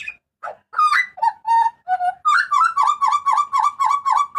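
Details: Butcherbird from Papua calling loudly and harshly: scattered slurred notes give way to a fast, steady series of ringing downslurred yelps, several per second. No background sound.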